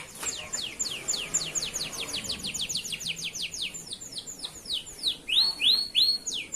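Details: Male local canary singing as a tutor for young canaries: steady rapid series of downward-sweeping whistled notes ending in loud rising swoops.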